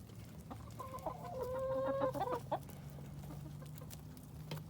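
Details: Flock of chickens on an urban farm in Colorado Springs, some eating pumpkin, with one bird holding a long steady nasal note framed by quick clucks, then quieter background clucking and pecking clicks.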